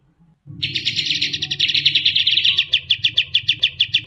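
A Striated grassbird pours out a dense, buzzy, high-pitched trill that breaks into rapid clipped notes, about three per second, over a low background hum.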